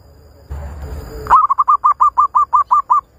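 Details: A zebra dove lure for trapping: a rasping noise burst gives way to a steady string of about ten quick, hooked coos, each note clipped and evenly spaced.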